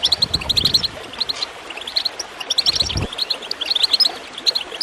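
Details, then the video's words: Goldfinch chirping, played to encourage other birds to sing: quick, high, bright chirps in short bursts with brief pauses between groups. Gurgling water runs underneath throughout. "Water gurgling with goldfinch chirping to encourage birds to song"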